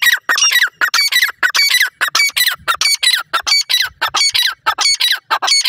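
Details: Grey francolin chicks fighting over grass in a forest: loud rapid harsh squawking notes, rising and falling, tumbling out nearly continuously about one or two per second with dense overlapping bursts.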